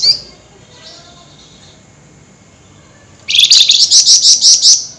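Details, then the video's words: Flameback in an agitated 'nyerecet' night-time outburst: one brief sharp note, a quiet pause, then a loud, rapid rattle of about eight high, ringing notes, each with an even beat. "Burung FLAMBOYAN GACOR Nyerecet Emosi Tinggi DiMalam Hari"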